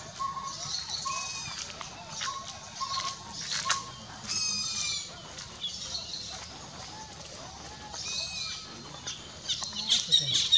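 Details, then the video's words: A collared owlet in India, a bird heard far more often than seen, gives soft, even whistled hoots about every two-thirds of a second, over busy high chirping and trilling from other small birds. "Collared Owlet calling"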